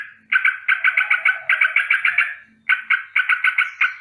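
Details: Yellow-vented bulbul giving a morning danger alarm, a rolling call: quick bursts of harsh, buzzy notes, four to eight a second, in runs broken by short pauses, with faint thin high ticks above.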